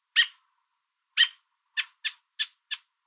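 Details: American robin parent with food in its beak calling its baby from a fence and telling an observer to move away: two strong rasping calls a second apart, then four quicker, shorter ones.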